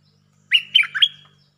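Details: Bulbul song used as a lure with doubled phrases, here a single brief phrase of four liquid, bubbling whistled notes over a faint low hum.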